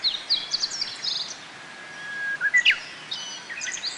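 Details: At Kobe Municipal Forest Botanical Garden, Japan, on 14 June 2018, Japanese white-eyes visit bottlebrush blossoms for nectar. Rapid high chittering notes open the clip. A long, level, lower whistle follows and ends in a sharp downward slur, then more high twitters come.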